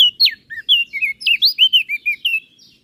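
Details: Crested white-eye from Flores in energetic master song for training birds: a clean rapid series of about a dozen bright whistled notes, sweeping down and looping, in near silence.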